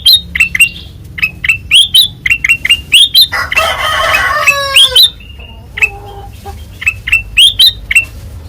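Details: Ngeplong singing from a white-eyed kutilang emas: runs of clipped rising chirps broken by a rough, noisy squawking burst, then more chirps and a few low notes.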